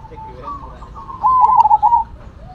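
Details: Zebra dove of the Cemani or Silver perkutut type singing: one bright stuttering coo phrase rolling into a sustained level note, preceded by quieter overlapping cooing from other doves.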